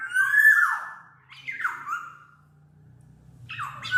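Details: Black-naped oriole uttering two long, drawn, nasal mewing notes that fall in pitch, separated by a short gap, and a third beginning at the close.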